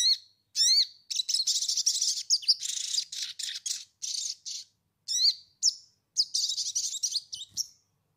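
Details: Sunbird song used as a lure to prompt singing: near-continuous high, buzzy twittering broken by short gaps, with upslurred whistled notes opening some phrases.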